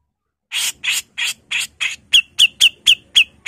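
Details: A female grey-cheeked bulbul (cucak jenggot) gives a fast run of harsh, raspy notes, nearly four a second, that turn into short, sharper whistled chips.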